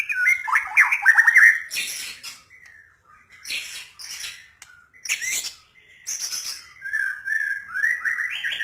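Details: White-rumped shama singing rapid slurred whistles at the start, then alternating harsh rasping bursts with short clear whistled notes. Soft pauses fall between the phrases.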